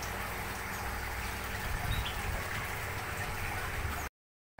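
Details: Gurgling, bubbling water over a low mechanical hum, ending in a short silence, with no animal calls.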